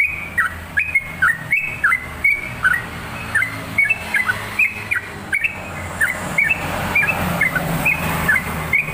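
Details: Sooty-headed bulbul in full song, a repeated series of short clear whistled notes, each slurring down, steady through the clip over a constant low background hum and rumble.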